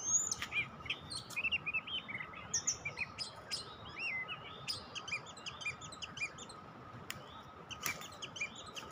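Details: Oriental magpie-robin (kacer), recorded for luring birds: a run of varied clear whistled notes and short chirps, some rising and some falling, given steadily over nine seconds, with a steady low electrical hum underneath.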